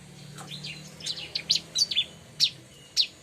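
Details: Bar-winged prinia (ciblek) sound meant to attract the species: scattered high, sharp down-slurred chips, about eight in three seconds, coming in irregular twos and singles.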